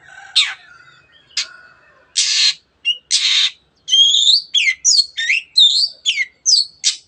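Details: Singing long-tailed shrike: a few harsh rasping notes give way to a rapid run of varied whistled and buzzy phrases, bent and rising, packed closely together in a lively, busy stream.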